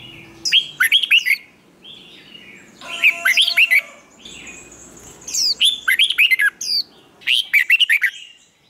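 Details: Red-whiskered bulbul singing its competition song in the 'twisting voice' style, used to train and stir up other birds. It gives repeated bursts of rapid, sharply rising and falling warbled notes, several phrases in under nine seconds, with softer warbles between them.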